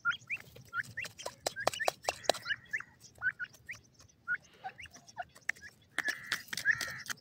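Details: Grey francolin chicks feeding in green grass: a stream of short, high, rising peeps, several in quick succession, mixed with sharp clicks and brief buzzy notes.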